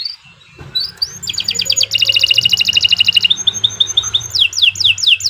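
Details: Canary of the Kenari Nusantara type in prolific song for teaching young birds: soft rising whistles give way to loud, rapid rattling trills, a thin high note, then repeated downward-sweeping whistles.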